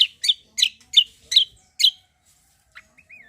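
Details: Energetic cucak kombo used to provoke other birds to sing: six loud harsh chirps in quick succession, then near silence with a brief thin rising whistle.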